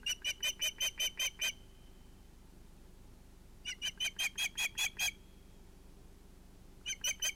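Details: Osprey nest at sunset on 11 August 2018, where an evening fish is brought to two ringed chicks. Runs of six to eight shrill piping notes come in quick regular series separated by quiet gaps.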